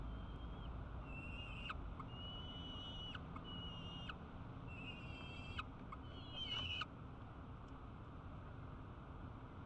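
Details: Male falcon squeaking at dusk on July 14, 2012 after spotting his mate heading home from a distance: thin high squeaks in short repeated bursts, some slightly wavering, over a loud steady low rumble and hiss.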